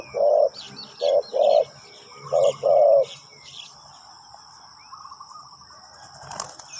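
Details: Spotted dove decoy calling wild birds: two groups of low coos in the first three seconds, then quiet with faint high chirps of other birds and a brief rustling noise near the end.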